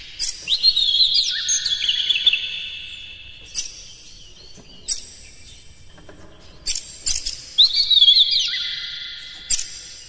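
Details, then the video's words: Dense, hard Oriental magpie-robin song used to goad other magpie-robins into full singing: bright drawn-out whistled phrases with slurred notes, broken by short sharp clicks and pauses, in three main bursts. "Suara PANCINGAN KACER paling gacor"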